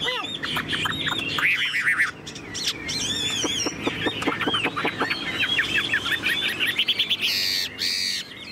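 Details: Chinese hwamei kept as a tame cage bird. Short whistled phrases and sliding notes are mixed with dry clicks and rattles, with a harsher, noisier burst near the end.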